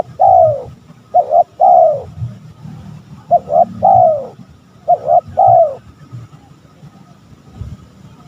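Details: Cooing of a spotted dove, used as a rival-provoking lure. Three phrases, each a rapid double note and then a long mellow descending coo, followed by a few seconds of quiet low rumble.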